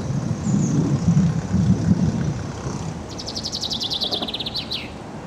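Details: Common chaffinch at Söder, Stockholm, gives a bright, rapid descending trill of about a dozen notes ending in a quick flourish, after low rumbling wind or traffic noise.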